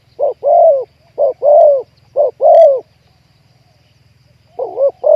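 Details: Trapping wild spotted doves with a calling bird: groups of deep, slightly falling coos in short-long pairs, about one a second, then a pause before the pattern resumes.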